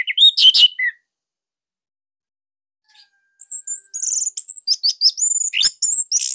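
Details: Orange-headed thrush of the Bali type, caged, giving a loud master song meant to coax other thrushes to sing: a brief whistled phrase, a pause, then a fast run of sharp, very high chirps.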